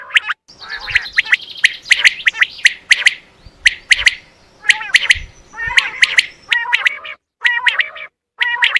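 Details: Common quail call for attracting quail when hunting: dense, continuous series of sharp triple notes at a steady pace, interleaved with nasal harmonic calls, over a faint hum and occasional low thumps.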